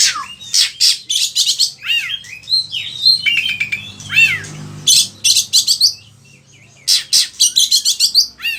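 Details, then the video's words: Indonesian kacer, the oriental magpie-robin, singing continuously in gacor style as a lure and tutor song for other kacer: a rich stream of sharp chips, descending whistles and rapid chatter in repeated bursts, with a short pause midway. "Pancingan suara kacer gacor, bongkar isian burung"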